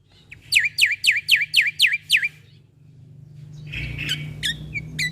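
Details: Black-winged starling (jalak putih), a caged-bird training recording: seven loud, evenly spaced down-slurred whistled notes in about two seconds, then low background hum and a few sharp notes.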